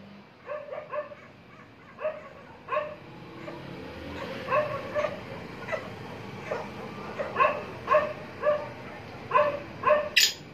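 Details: Three black francolins calling: harsh, grating notes with stacked harmonics, given in short clustered bursts roughly every second, some phrases louder and closer, over a steady low background hiss.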